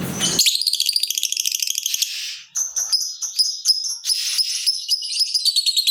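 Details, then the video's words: Lovebird of the fighter type chattering to lure other lovebirds into song: dense, rattling, high-pitched notes in rapid runs, with a brief pause near the middle before the chatter resumes. "Pancingan Burung Lovebird Ngetik Bikin Gacor Ngekek Panjang !! Lovebird Lain Langsung Nyaut Gacor"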